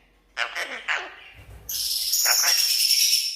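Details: Talking red-breasted parakeet greeting guests: three short hoarse speech-like syllables, a brief pause, then a long piercing high screech that holds to the end.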